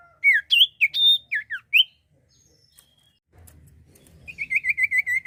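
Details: Common iora, song used as a lure: a burst of loud varied whistles rising and falling, a pause, then a quick descending trill of repeated notes.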